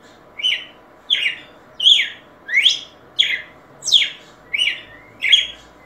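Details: Red-cowled cardinal singing: eight sharp, slightly buzzy notes that sweep downward, one roughly every three-quarters of a second, over a faint steady background hum.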